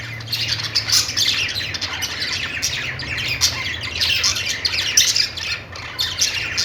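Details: Pet budgies give happy chirping: busy twittering with short rising and falling chirps mixed into scratchy squawks, steady throughout, over a faint low hum.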